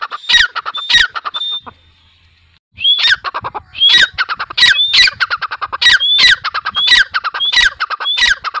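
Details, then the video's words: Grey francolin call series: after a short silent pause, loud ringing phrases repeat steadily about every 0.6 seconds, each a whistled upslurred note with grating, scratchy strokes beneath. "Teetar Awaz | Dakhni Teetar Voice | Teetar Sound"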